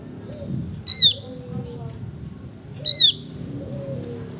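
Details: Two piercing downward-sliding whistles about two seconds apart from a male Javan grey-throated white-eye in active song, over a soft murmuring background.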